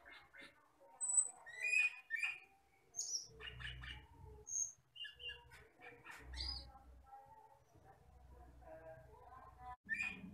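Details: Asian glossy starling, a forest bird that is black with red eyes, gives scattered high whistles, clicks and short chirps over faint low rumbling background noise.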